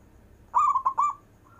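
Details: A local zebra dove sings its long-breathed cooing, meant to coax lazy doves into calling: three soft, rounded coos in quick succession, followed by a faint higher note.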